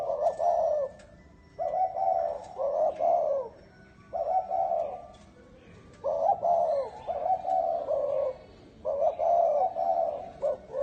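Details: Spotted dove with a bronze-bell style voice, cooing and crooning to call in wild birds and excite males and females; deep, mellow coo phrases in paired bursts, repeated steadily with breaks of about a second.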